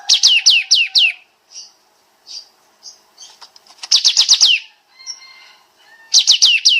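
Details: Kapas tembak bulbul, recorded as a master for training songbirds: three bursts of quick descending whistled notes, separated by soft short chirps and faint twitters.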